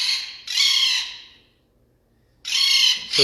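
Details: Captive Blue Jays at a Connecticut nature center give two harsh, raspy squawks about a second long with a pause between. They learned to mimic a parrot squawk, which sounds much like their own alarm call. Four birds share the enclosure.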